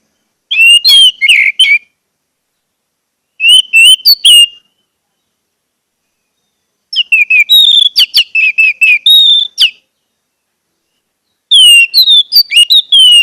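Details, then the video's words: Orange-headed thrush song meant to stimulate caged birds into singing: four bursts of fast, varied whistles and chirps, the third longest, with clean silence between phrases. "pancingan anis merah agar anis merah macet cepat bunyi dan gacor"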